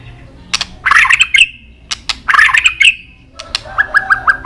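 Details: White-rumped shama in an excited fighting display with tail-snapping: two bursts of harsh, buzzy, grating notes with sharp clicks between them, then a quick run of four short repeated whistled notes.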